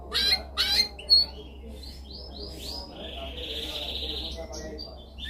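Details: Canary song, described as a most dominant song for training: a few loud sharp chirps, then rising whistled notes and a long fast buzzy trill, over a steady low hum.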